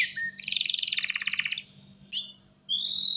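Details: Short burst from a male canary calling for a mate: a rapid pulsing trill lasting about a second, a small chirp, then a rising whistle, over a faint steady hum.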